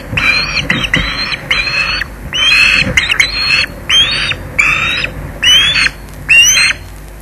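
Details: Young osprey at the Loch Garten nest in August, flying in and grabbing a fish from its father: loud, harsh screeching calls repeated roughly once a second in a steady series, over a low rumbling background.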